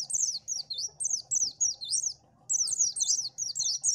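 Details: Oriental white-eye song used for luring birds: high, thin twittering phrases of quick rising-and-falling whistled notes, delivered in rapid runs with one short pause midway; faint low background rumble.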